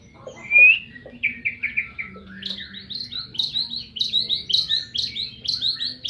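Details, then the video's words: Medan white-rumped shama song: one loud whistle, then a long rapid series of repeated chirps that climb higher and speed up toward the end, over a faint steady hum. "Burung murai batu medan"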